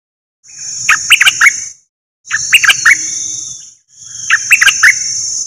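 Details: Bulbul decoy bird, one of a set of three, singing brief clusters of sharp chirps about every two seconds over a steady high-pitched whine.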